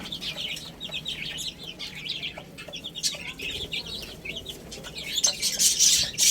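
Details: ['Chicks chirp steadily while feeding and playing. Rapid, downward-slurred high peeps, nearly three a second, overlap from several birds, and a loud, noisy flurry comes at the end.']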